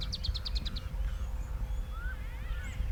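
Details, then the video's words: Greater blue-eared starling (corrected from Cape glossy starling), southern Africa: a quick burst of about eight nasal, chattering notes, then a few thin whistles, over a steady low rumble of wind. "Greater Blue Eared Starling"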